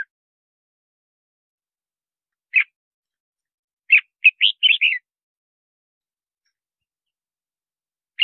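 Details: Red-whiskered bulbul song used to lure wild birds into fighting traps and to train singing: one quick burst of five bright, warbled whistled notes, with single clipped notes before and after and long silences between.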